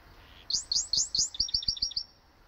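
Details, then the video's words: Canary and goldfinch hybrid singing while practising its song: a short run of high, sweeping chirps followed by a quick series of clipped, repeated notes, all in a bright high register, ending abruptly. "canario x jilguero"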